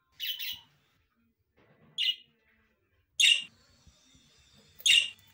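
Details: A budgerigar gives short, harsh, scratchy chirps, spaced about every second or two.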